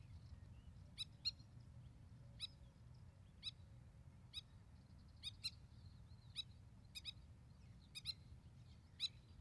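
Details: A spur-winged lapwing parent with chicks in Israel during the breeding season gives sharp, metallic ticking notes, singly or in quick pairs, about once a second, over a steady low rumble of wind; a horse is nearby.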